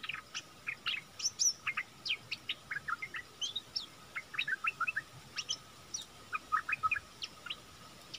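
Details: Decoy bulbul used to lure wild birds, recorded 16 March 2021: a busy run of short, sharp chirps and quick rising-and-falling notes, many in close succession, with steady background hiss.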